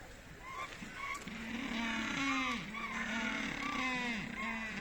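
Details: Humboldt penguins in snow at Schönbrunn Zoo, Vienna, in spring give hoarse, nasal calls in a run of honking, braying notes, about two per second, over a constant background hiss.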